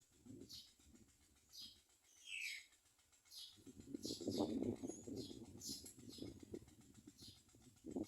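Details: Common myna nestlings in the nest, after being fed, give thin, harsh, high squeaky begging calls in quick bursts, with low rustling and fluttering wing sounds underneath.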